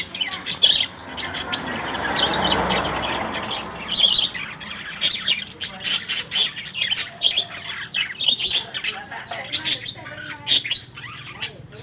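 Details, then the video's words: A group of colourful lories with sharp, scratchy squawks repeated in quick, irregular bursts, some louder screeches standing out, over a soft rumbling background in the first seconds. "Kicauan Burung Nuri"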